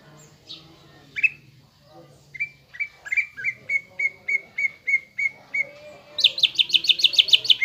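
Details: Caged greater green leafbird singing a lure song for fighting mood: steady series of clear whistled notes about three per second, ending in a rapid high trill of repeated notes.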